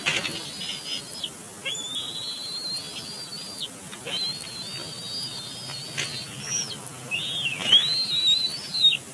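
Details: Bald eagle chick at its Big Bear Lake nest, April 2022, throwing a tantrum and squeeing at its landed father; a run of long high whistled squeals, some ending in sharp broken chatters, repeated about every two seconds.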